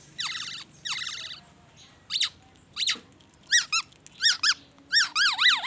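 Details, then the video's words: Black-naped oriole in vigorous song full of white-rumped shama mimicry: two buzzy, harmonically rich rasping phrases, then clear sharply rising and falling whistled notes repeated in pairs at a steady pace. "SUARA BURUNG KEPODANG EMAS GACOR BONGKAR ISIAN MURAI BATU"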